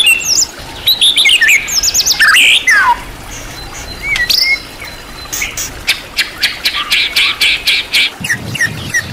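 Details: Champion-class white-rumped shama on a master recording full of rich material. Lively chattering whistles and slurred notes open the clip, followed by a lone swooping whistle and a run of dry, evenly spaced clicks.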